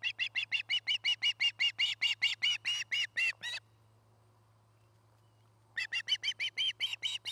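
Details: Osprey calling at its nest in Charlo, Montana, early afternoon on 8 September 2018: around twenty rapid, ringing chirps in a long run, two seconds of silence, then another run of about ten, over a low hum.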